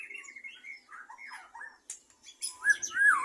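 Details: Captive-bred white-rumped shama singing varied clear whistles, some low and warbled, some high and thin, ending in a louder looping whistle.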